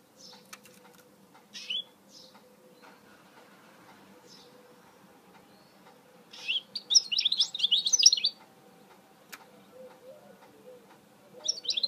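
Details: Scattered high chips give way to a dense two-second outburst of tinkling, twittering song from a goldfinch hybrid. Faint clicks and a low murmur of cooing sounds run behind.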